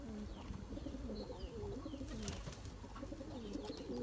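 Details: Taklacı tumbler pigeon male driving his mate toward breeding in a loft; continuous low, bubbling coos rise and dip in steady rhythm, with faint chirping and a brief rustle.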